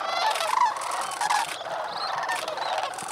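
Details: Several sandhill cranes on the North Crane Pool at Bosque del Apache National Wildlife Refuge, New Mexico, on a freezing morning shortly after sunrise, November 2010. Loud rattling bugles open, then softer overlapping calls continue with a few thin higher notes.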